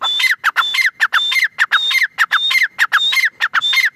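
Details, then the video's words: Grey francolin (teetar) calling: loud, harsh, ringing notes repeated in a rapid rhythmic series of about 100 per minute. Sharp upper notes alternate with falling lower ones, and there is no other clear sound. "Teetar ki awaz | Teetar voice | gray francolin teetar sound"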